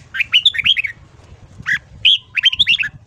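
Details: A red-whiskered bulbul sings its morning training song, bubbly whistled phrases of quick rising and falling notes, two short bursts framing a single strong whistle, over low background rumble.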